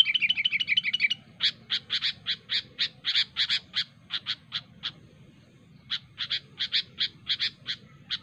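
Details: Sooty-headed bulbul in natural surroundings, sharp calls to challenge rivals: a quick rattled run of notes, then a long series of short, bright chirps repeated about four times a second, with a brief pause before resuming.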